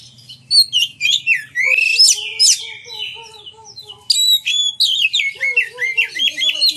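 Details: Oriental magpie-robin singing, used as a lure to provoke other magpie-robins to sing and display: loud rising and falling whistles and sharp chirps, with softer low tonal notes running beneath.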